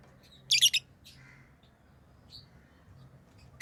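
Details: Pet lovebirds give a harsh triple squawk, followed by a softer chirp and another sharp shrill call at the very end, over a faint low hum.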